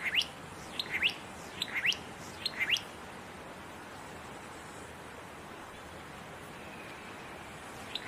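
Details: Song of a satin flycatcher in fire-damaged tall forest of Namadgi National Park, south of Canberra: a run of about eight quick rising whistled notes in the first three seconds, then quiet, and one more note at the end.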